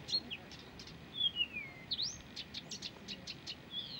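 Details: Persistent song of a Blyth's reed warbler: a long whistle slurring downward, a sharp upswept note, then a quick run of clicking ticks, with faint background hiss.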